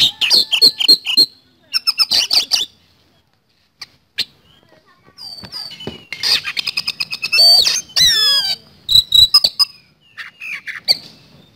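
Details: Vigorous song of an Oriental magpie-robin (kacer) in the fast 'nembak speed roll' style: quick trills and clicks, rising and falling whistled notes, a sweeping buzzy phrase near the middle and short gaps between bursts.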